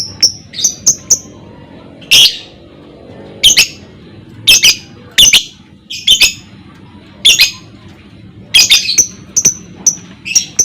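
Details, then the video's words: Lovebird calling to provoke other lovebirds into singing: high sharp ticks interspersed with harsh, shrill squawks in irregular bursts. "PANCINGAN Burung Lovebird CEPAT PANAS Lanjut Lovebird Akan NGEKEK"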